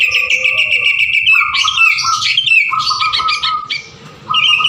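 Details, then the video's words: Prolific sooty-headed bulbul song used to coax other birds to sing: dense, rapid twittering and buzzy chatter with rising and falling whistled phrases, a brief quieter pause near the end, then resuming. "suara burung kutilang keboh ful gacor cocok buat pancingan"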